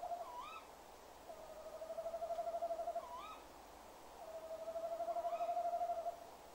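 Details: Tawny owl pair at 19:56 near a nest box, in January: male comes to the box, trills convincingly, then hoots enthusiastically while the female answers with short, sharp rising notes; long quavering hoots traded back and forth.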